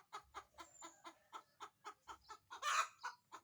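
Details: Chicken laying an egg: a steady run of short, sharp clucks about four per second, then one loud, harsh, broad squawk near the end, followed by more clucks.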